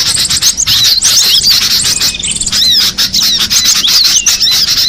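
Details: High, squeaky chattering from wild cinereous tits: clipped chirps and quick rising whistles in rapid irregular bursts, with several birds calling at once.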